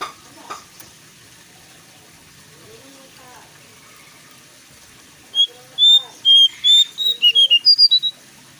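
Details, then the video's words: Jongkangan bulbul song meant to stir kept birds into singing: after a few seconds of low voices, a rapid run of about a dozen high, clear whistled notes, some rising, some falling, delivered in a quickening burst. "PANCINGAN AMPUH UNTUK MENJADIKAN JONGKANGAN ANDA IKUTAN berbunyi dan gacor"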